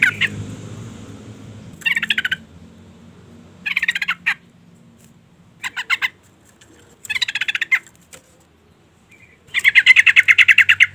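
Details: Female yellow-vented bulbul calling to provoke a male: five rasping bursts of rapid notes spaced about two seconds apart, the final burst the longest and loudest.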